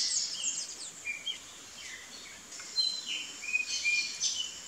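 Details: Female burnished-buff tanager foraging, giving thin, high chips and short tseet notes at an uneven pace, about three a second, over a soft hiss of background noise.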